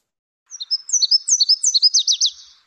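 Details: Nashville Warbler song, nicknamed the 'car starting' warbler: a high seesawing series of sweet two-part notes, then a faster run of lower, sharply falling chips, lasting about two seconds against a silent background.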